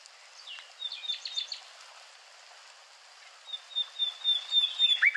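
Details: Nightingale singing: a short burst of rapid high chirps near the start, then after a pause a run of sharp repeated notes building into quick thin whistles at the end, over a faint steady background hiss.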